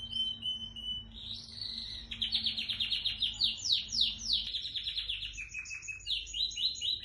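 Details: Home-bred white dominant Syrian canary singing: a sustained whistled note, then fast rolling trills and chains of rapid descending sweeps, shifting into repeated high buzzy phrases, with a steady low hum in the background.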